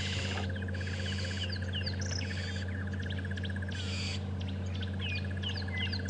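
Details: Burchell's starlings (Lamprotornis australis) alarm calling from a tree on a morning safari drive, Djuma and Arathusa game reserves, 19 January 2015, cause unknown, possibly a snake: scattered harsh chirps and squeaky notes over vehicle engine rumble and rapid pulsing buzz.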